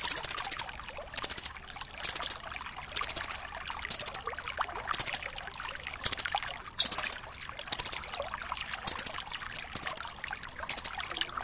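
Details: Dark-necked tailorbird song, used as a master recording to train songbirds: a loud, very high, buzzy trilled burst repeated about every 0.9 seconds, evenly spaced, with clear gaps between bursts.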